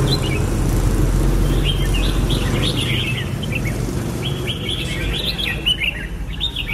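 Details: A red-whiskered bulbul gives lively chirpy whistles, about four notes a second, in loose rapid strings that pause and restart, over constant low-pitched background noise.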